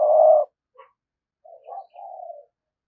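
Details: Spotted dove used as a decoy bird, giving a well-practised 'thúc gù' coo: one loud, low, steady hoot followed by a pause and a few softer, broken coos, in a quiet setting.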